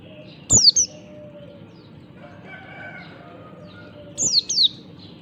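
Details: Morning ngalas song of an Oriental white-eye, kecial type, used to lure other white-eyes into singing: two short bursts of sharp, high, steeply falling notes separated by a long quiet gap, each opening with a dry click.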